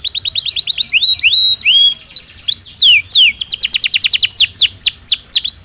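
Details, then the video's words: Belgian canary singing naturally: quick trill, upward-slurred whistles, downward sweeps, then a rapid series of repeated descending notes. "Som de 1 Hora com Canario Belga Cantando Naturalmente"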